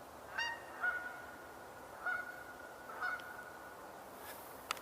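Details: On an evening in early November 2021, after dark, a couple of Canada geese, possibly taking off, give a few loud, nasal honks about a second apart against a quiet background.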